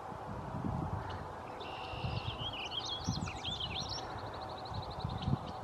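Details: Warbling vireo singing at Saint-Fulgence on 22 May 2015, one fast, rambling warble of slurred up-and-down notes ending in a quick trill, over low wind rumble.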